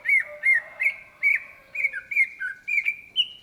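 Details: Greater green leafbird (cucak ijo) singing vigorously in the gacor style: a fast run of clear, slurred whistled notes, each dipping then rising, about three per second, ending on a higher sustained whistle.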